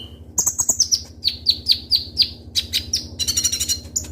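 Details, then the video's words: Ruby-cheeked sunbird (kolibri ninja) in full song with sharp 'tembakan' bursts, used as a lure: quick series of high, sharp chirps, each dropping in pitch, then dense rapid twittering, over a steady low hum. "Suara Burung Kolibri Ninja Konin Gacor Full Isian Tembakan Tajam Ngobra"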